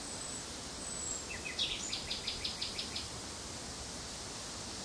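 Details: Common nightingale singing at sunset in June 2017: a short strophe opening with a few thin high notes, then a fast run of about nine repeated chirping notes over roughly one and a half seconds, over a steady hiss of background noise.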